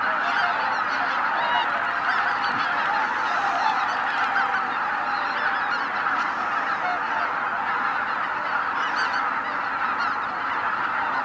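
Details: Christmas morning at Izu-Numa, Japan, where tens of thousands of waterfowl winter; an unbroken, slightly softer mass of overlapping honks and cackles continuing evenly for the whole stretch.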